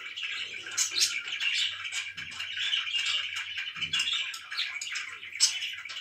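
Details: Morning chirping by pet budgies: a continuous scratchy warble with scattered sharp squeaks and a couple of faint low thumps in the background.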